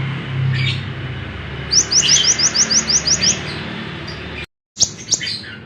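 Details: Lemon-bellied white-eye kept as a tutor bird for other songbirds, with a fast run of about nine identical high, upslurred chirps, followed by scattered sharp notes after a brief gap, over a low hum.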